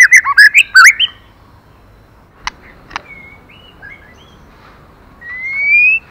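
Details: Female white-rumped shama stimulating the male: a rapid tumble of bright, warbled notes at the start, then sparse clicks, soft whistles and a rising, drawn-out whistle at the end.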